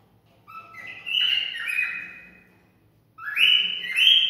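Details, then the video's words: Cockatiel singing to stimulate mating: two bursts of rich whistled notes, each sliding upward from a lower tone to a bright sustained pitch, separated by a short silence. "Cocktail stimulating sounds for mating"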